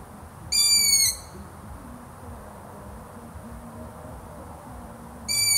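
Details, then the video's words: Long-eared owl uttering two thin, piercing whistled squeals about five seconds apart, each roughly half a second long, with low steady background noise between them. "LONG EARED OWL"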